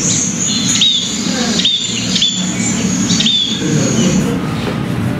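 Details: Scaly-breasted Munia from Belgaum, a bird that tears long grass leaves to build its nest: thin, high, slightly down-slurred notes repeated about four times, roughly once every 0.8 seconds, over low background hum.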